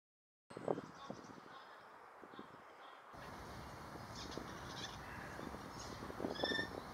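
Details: Eurasian jays, three pairs in one tree, the males singing softly while females watch: a quiet, rambling medley of rasping clicks, harsh chatters and brief thin whistles, with faint background hiss throughout.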